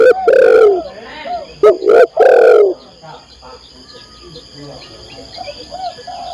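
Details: Female spotted dove calling the male: a burst of loud, rough coos in quick succession during the first three seconds, then only faint, softer cooing notes in the background.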